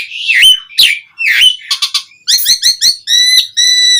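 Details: Asian pied starling song played to coax other starlings into singing: harsh slurred whistles, then rapid buzzy notes and clear repeated whistled tones with stacked overtones, loud and close.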